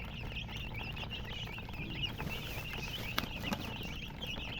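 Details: Colored domestic chicks with small wavering peeps repeated quickly. A couple of sharp knocks break in near the middle, and low hum lies beneath.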